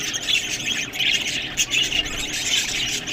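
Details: Pet budgerigars feeding on green food, with busy overlapping chirps and scratchy warbling notes from several birds, a few brighter squeaks standing out.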